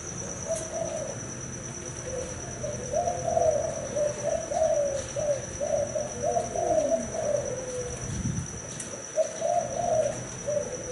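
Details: A male spotted dove of thai hau 4 cooing style runs soft, pulsing coo phrases, one ending in a downward slur, accompanied by a thin continuous whine and a brief low thump.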